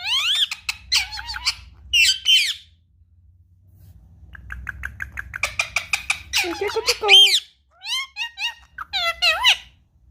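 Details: Indoor pet Indian ringneck parakeet, handled and spoken to, eager to play with an iPad. Shrill squeaks and chatter give way to a pause with low hum, then rapid harsh babbling bursts and wavering whistled notes.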